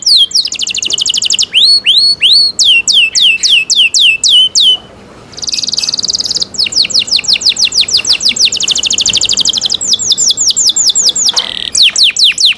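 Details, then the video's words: Loud canary song of quick falling and rising whistled notes, a short pause with a soft buzzy tone, then long rapid rattling trills and renewed sweeping phrases. "CENKOK CANARI SOUND"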